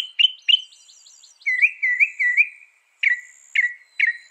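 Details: Northern mockingbird mixing phrase types: two sharp chirps, then three rolling whistled notes, then three downslurred notes about half a second apart, over a faint high hum.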